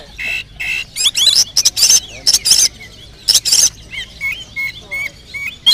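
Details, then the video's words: Oriental magpie-robin singing in a varied, high register: harsh chattering bursts and sharp sweeping notes give way to clear, repeated whistled phrases. "Isian tonjolan burung kacer"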